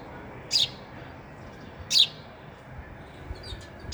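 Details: Sparrow eating at a feeder gives two loud high chirps about one and a half seconds apart, then faint quieter twitters.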